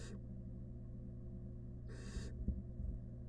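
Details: Wild barn owl at a monitored nest box with rat prey, giving two harsh, broadband hissing bursts: a short one at the start and a longer one about two seconds later, over a steady low hum.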